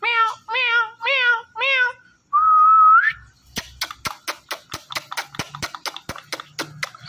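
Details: Indian ringneck parrot talking and dancing: four meow-like harmonic calls, a long rising whistle, then a run of sharp rapid clicks or taps about every third of a second.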